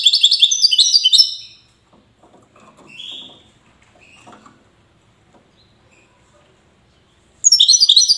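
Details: Goldfinch of Wydani type from Safi, Morocco, opens with a rapid high twittering phrase, falls nearly silent apart from faint rustling and a thin note, then resumes fast tinkling song.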